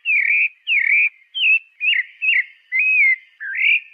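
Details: Pale-breasted thrush whistling a run of clear phrases, some sliding down, others rising or looping, spaced about half a second apart, with no other sounds.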